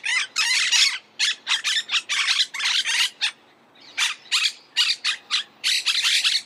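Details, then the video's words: Monk parakeet, the Argentine species, gives a rapid stream of harsh, grating squawks, mostly in quick series with a short pause near the middle. "Canto de la Cotorra - Sonido de Cotorras - Audio De La Cotorra Argentina"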